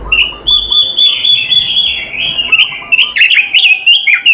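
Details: Continuous melodious song of an oriental magpie-robin, a long run of high whistled and warbled notes with sharp flicks every half second or so, faint lower chirps beneath.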